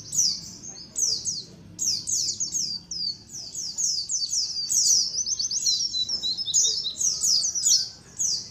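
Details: White-eyes in a colony calling, a sound for luring: long runs of piercing, downward-sliding chirps crowded together, broken by a few brief pauses.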